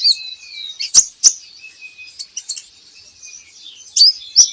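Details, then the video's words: Van Hasselt's sunbird (kolibri ninja) on a lure recording for getting birds to sing: thin high whistles and a long faint tone, punctuated by a few sharp clicks. "PANCINGAN KOLIBRI NINJA Bahan Agar Bunyi"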